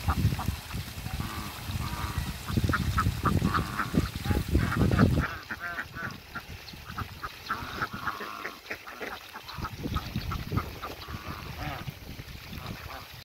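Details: Muscovy ducks, two couples coming together, giving rapid, irregular clipped calls mixed with heavy low thumping and scuffling, the noise easing partway through while the calling continues.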